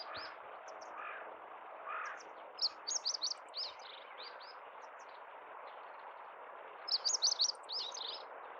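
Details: Spring song of a meadow bunting in Kita-Harima, central Hyogo, Japan, 10 April 2021, known locally as "ippitsu keijō". Two bright, rapid phrases of high twittering, slurred notes, about four seconds apart, over a constant low hum.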